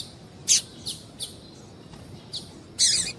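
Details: Calls of a female double-collared seedeater, used to get males singing: quick, high, clipped chirps in an irregular string, with a louder burst at the end, against low background noise.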